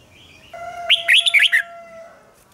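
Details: Red-whiskered bulbul heard in morning training: one short lively phrase of five or six slurred, whistled notes over a steady humming tone that lingers before and after the phrase.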